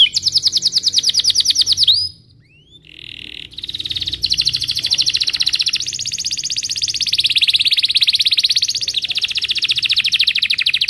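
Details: Belgian canary in the morning, song used to coach young birds: a rapid buzzy rolling trill, a brief pause with a swooping note, then a long, unbroken high rolling trill that rises slightly in pitch.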